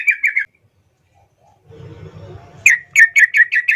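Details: Master-training song of a trucukan bulbul: a brief warbled phrase, a pause with soft low rustling and murmur, then a fresh run of clear repeated chirps.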